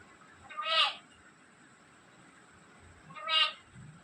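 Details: Black-capped lory talking with two short, bright, harmonic bursts roughly two and a half seconds apart, each rising quickly and then fading, over a steady faint hiss.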